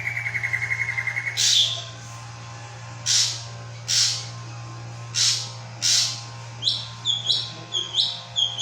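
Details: Drongo opening with a fast even trill, then harsh explosive bursts spaced about a second apart, ending in quick chattering double notes; a constant low hum runs throughout.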